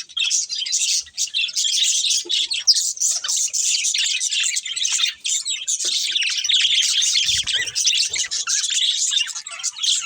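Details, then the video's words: Breeding pair of budgerigars chirping: a dense, continuous high warble of scratchy chirps and chatter that runs without pause through the whole stretch, with a few soft low thumps near the end. "Cute Budgies Chirping Sounds"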